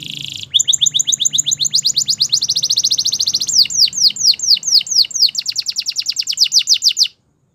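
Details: Belgian canary singing in the morning, with a long fast trill of rapidly repeated high notes that gives way to a steady run of downward-sweeping whistles before stopping abruptly.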